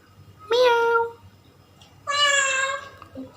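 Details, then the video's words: Pet Indian ringneck parakeet talking indoors: two drawn-out, nasal, meow-like calls, each lasting about half a second, with a pause between them. "ringneck parrot talking sweetly"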